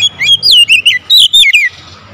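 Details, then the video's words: Brief, strong bout of Oriental magpie-robin calling: six clear whistled notes swooping down in pitch, delivered rapidly in two groups of three within about one and a half seconds, then fading to faint background hum. "KACER MEMANGGIL SUARA LANTANG KERAS"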